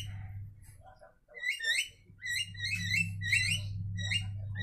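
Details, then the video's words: Two or more Javan mynas answering one another: low chattering notes first, then a busy run of sharp rising whistles in quick succession, with a low hum beneath. "Jalak Kebo Saling Berkicau"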